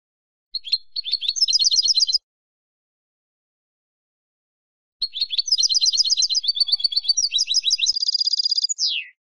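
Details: European goldfinch from the Spanish silvestrismo practice of keeping and training songbirds. Two long, rapid twittering phrases of bright, jangling notes, the second ending in a dense buzzy trill and a falling slur; quiet pause between phrases.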